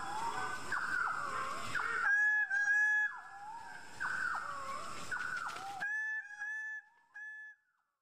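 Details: Greater bird-of-paradise chorus: a series of loud, nasal, harmonic calls, each dipping and then levelling out, given in quick succession and overlapping, then a few clear, level notes as the calling thins.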